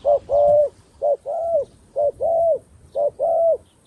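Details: A decoy dove used in trapping calls wild doves down, giving four soft, low two-part coos about a second apart: a short note then a longer, slightly rising and falling croon; quiet background.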